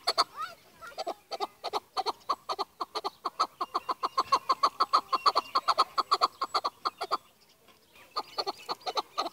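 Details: Chukar partridge, named as Pakistan's national bird, giving a long fast series of dry, clucking 'chuk' notes at about three per second, pausing briefly before resuming.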